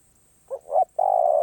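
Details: Single song phrase from a spotted dove, karom pa roi style: two short soft coos, then a long level low coo, with a faint high whine.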